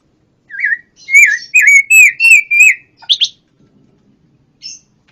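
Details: A pancawarna bird delivers a row of six ringing, slurred whistled notes in quick succession, then a sharper high chirp and a faint short call after a pause.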